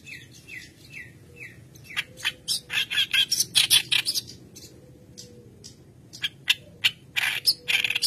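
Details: Energetic song of a white-browed reed warbler, used as a training lure. Descending slurred whistles open into rapid harsh chatter, a pause, then more grating bursts. A low hum runs underneath.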